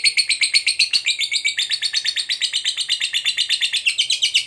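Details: Long ngekek trill from a fighter lovebird, a lure sound meant to stir up an opponent: steady, fast, chattering high pulses repeated about four times a second without pause through the whole stretch.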